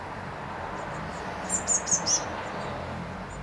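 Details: Blue tits at a nest box in May 2020. A quick run of four very high, thin notes falls slightly in pitch and lasts under a second, over a steady low hum.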